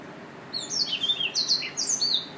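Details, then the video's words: Yelloweye finch giving a rapid run of high, thin chirps and short twittering notes, sharp and slightly descending, clustered over about a second and a half against a faint low background hiss. "Yelloweye finch"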